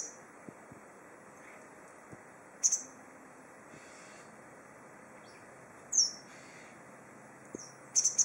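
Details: Perched in a tree at Goryokaku Park, a white wagtail (lugens) gives sparse, bright, high chirps: one near the third second, another near the sixth, then a quick double at the end, with quiet low background noise between.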